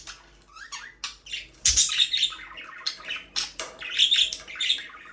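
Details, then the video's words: Budgerigars chirping, offered as company for a lonely pet bird; bright, rapid chattering chirps and short squawks rising and falling in quick uneven bursts, with brief pauses between phrases, indoors. "Bird chirping sounds relaxing"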